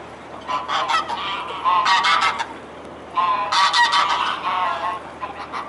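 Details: Mute swans on the Elbe at Dresden, recorded 17 May 2017 at 14:48; harsh, nasal honking notes in two loud bouts, each a rapid cluster of rough calls separated by a short quieter pause.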